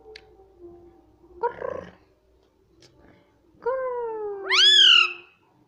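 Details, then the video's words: Pet parrot talking indoors: a short harmonic syllable, a pause, then a long drawn-out nasal utterance that climbs sharply in pitch at its end, loud and clear over a quiet room. "parrot talking everything"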